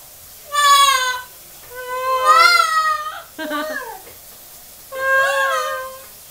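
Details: Pet double yellow-headed amazon at home with children in the background, giving loud, drawn-out, nasal wailing cries in separate bursts, one rising and falling, with a brief rapid sputter between them.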